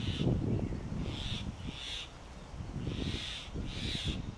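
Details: A grey hornbill pair at a mud-plastered tree-trunk nest in Delhi, the male feeding the incubating female in summer heat. Five drawn-out, strained high squeals spaced under a second apart over low rustling and thumping sounds.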